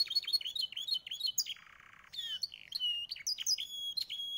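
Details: Yellow Belgian canary among three singing: fast high dipping notes, a brief harsh buzzy patch, then looping whistles and sharp chirps rising and falling.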